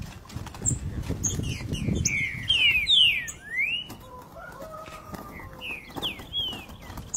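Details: A captive green-winged saltator gives loud, clear whistled notes that slur up and down in quick phrases, with softer, lower whistles and a low rumble behind it.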